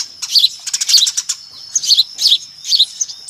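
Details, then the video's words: Short burst of a noisy Eurasian tree sparrow flock for luring, with loud bright chirps in quick groups separated by brief gaps. "SUARA PIKAT BURUNG GEREJA RIBUT AMPUH"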